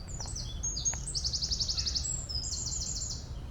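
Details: A wren hidden deep in bushes on a sunny spring day in the UK gives loud, very high, rapid trills in quick bursts over a low background rumble.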